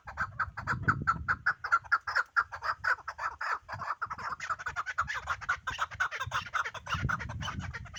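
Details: Pamir chukar partridge producing dense, overlapping chattering chuck notes in a continuous rapid stream, with occasional low thuds in the background.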